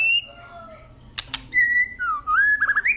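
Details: Agitated white-rumped shama sings long, clear whistles that glide downward, then a rising run of quick looping whistled notes. Two sharp clicks sound near the middle.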